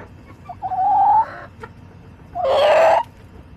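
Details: Hens in a backyard flock on July 18, 2024 give two loud, drawn-out, slightly rising nasal calls about a second and a half apart, with quiet background between them.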